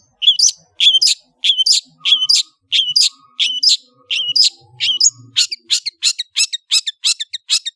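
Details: Long-tailed shrike delivering repeated harsh, rising buzzy notes in pairs, then quickening into a rapid series of short scratchy chips.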